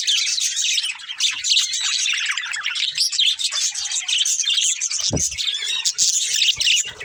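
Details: Pet budgerigars, a breeding pair, feeding and chirping: continuous bright twittering chatter, with a sharp click near the end.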